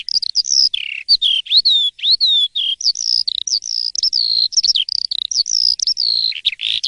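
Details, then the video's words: Asian pied starling singing freely in the morning, loud and clear. Long level whistles alternate with sharp upward and downward slurs and a short buzzy burst near the end. "Kicau dipagi hari!! BEGINI JALAK suren yang gacor dan ngeplong di waktu pagi"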